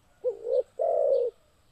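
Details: Spotted dove cooing: two soft low hooting notes, the first short with a rising start, the second longer and steady, about half a second apart, in a quiet setting.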